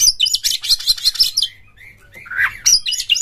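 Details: Oriental magpie-robin delivering loud ngeplong song as a lure to set off other magpie-robins: quick shrill chattered notes, a short pause, a lower slurred whistle, then more high chatter.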